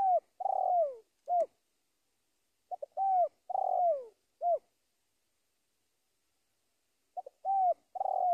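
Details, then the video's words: Spotted dove calling to a rival; clear, mellow cooing phrases, each a short note followed by longer falling coos, repeated in bursts with silent pauses between. "Suara Panggilan Tekukur memanggil Lawan"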